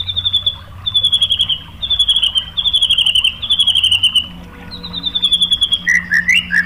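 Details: White-rumped shama song played to provoke other shamas: repeated bursts of high, rapid buzzy trills, each about half a second and slightly falling, separated by short pauses, closing with lower warbled notes.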